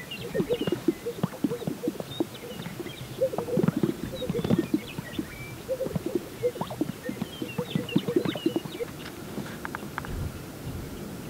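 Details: Greater sage-grouse displaying on a lek at sunrise in spring in central Montana; repeated low popping and gurgling notes with soft whistled sounds from several birds, overlapping throughout, in open outdoor air.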